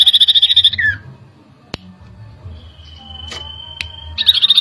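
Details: Common iora agitated by a lure: a rapid buzzy trill fading into a falling slur, then a long quiet stretch with a faint thin whistle and a couple of clicks before the trill starts again.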